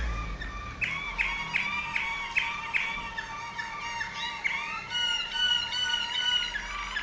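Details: Waterslager Malinois canary in Veliko Gradiste, Serbia, repeating a ringing mid-pitched note in a regular series, then drawn-out gliding whistles.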